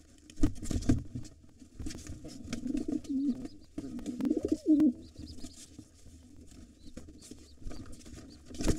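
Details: Low, rolling coos come in two bursts amid sharp knocks and scuffles as wild pigeons struggle at an occupied nest. A gray intruder with two nestlings present battles the returning white father.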